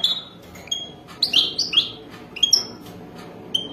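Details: Wild European goldfinch singing a mating song: short bright twittering bursts and clear whistled notes, some buzzy, in separate phrases divided by brief quiet gaps.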